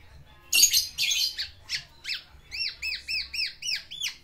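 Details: Caged black-naped oriole courting a female with its fill-in phrases: a harsh, noisy burst, then a steady series of arched, ringing whistled notes repeated about five times a second.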